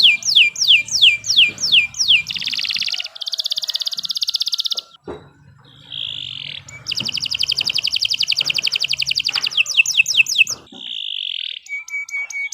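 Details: Canary song alternating series of sharp descending whistles with extended buzzy trills and sustained pure tones, a brief pause midway, then more trilling and sweeps.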